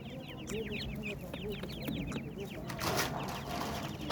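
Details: Busy high peeping from partridge chicks, short down-slurred notes tumbling over one another, interrupted midway by a brief burst of broadband noise.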